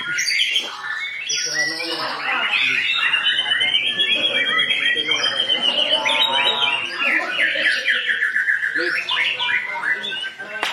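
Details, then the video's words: A long rolling white-rumped shama song for tutoring captive birds: dense, rapid chattering trills and bursts of notes, about four elements a second, mixed with whistles and scratchy phrases throughout. "SUARA BURUNG MURAI ISIAN MEWAH // NGEROL PANJANG DAN NEMBAK NEMBAK untuk masteran murai"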